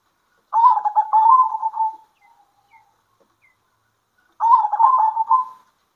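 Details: Two long rolling coo phrases from local zebra doves singing back and forth at midday. Each is a purring, stuttered trill that tails off softly, with roughly three seconds of quiet between them.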